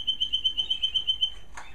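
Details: Caged American Singer canary in a breeder's bird room in the evening, delivering a rapid even trill of about ten pulses per second at steady high pitch, ending with a brief sharp click, faint background hum.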